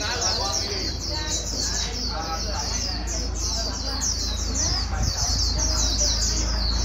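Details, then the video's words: White-eye, wild-caught and being trained toward fast singing, pours out a rapid high warble of short sweeping notes, about two or three per second in bursts, over a strong low hum. "Kích chim vành khuyên bổi mau líu"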